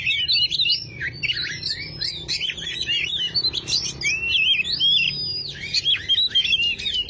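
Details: Oriental magpie-robin song intended to coax a non-singing bird into song: a busy sequence of short slurred whistles and chattering notes, one thin high sustained whistle midway, steady and energetic.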